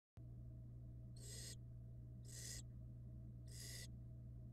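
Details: Young barn owls in a camera-monitored nest box, hatched in February 2022 from eggs laid in January, give three rasping hiss-like bursts roughly a second apart, with a constant low hum underneath.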